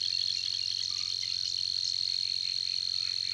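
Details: Savi's warbler (Locustella luscinioides) persistent reeling song at Tancat de l'Illa: a fast, unbroken, insect-like buzzing trill held at one steady, fairly high pitch, with faint background hum.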